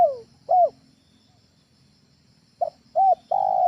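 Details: Spotted dove lure call for use at home: a falling coo tail and a short arched note, a pause, then a clipped note, an arched note and a sustained coo cut off at the end.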